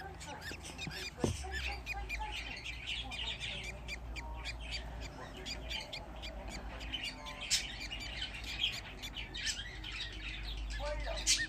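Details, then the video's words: Budgerigar chicks, fifteen together, keep up a busy mix of scratchy chirps and squeaks, with a louder sharp note near the start and a quiet voice and low hum in the background. "Muhabbet Kuşu Bebişleri Özel #7 Yavruların 15 'i Biryerde"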